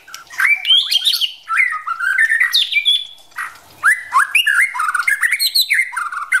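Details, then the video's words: White-rumped shama male practising song, encouraged by a female; loud, rich whistled phrases with sweeping slurs and harsh chattering bursts, pausing briefly before a second dense outpouring. "Chim chích chòe lửa rừng mái kích trống luyện giọng"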